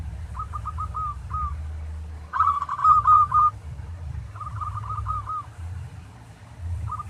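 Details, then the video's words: Local zebra dove song used to train other doves, bursts of short soft whistled coos in phrases, one louder phrase in the middle, with low rumbling noise throughout. "Masteran Tarik Perkutut lokal"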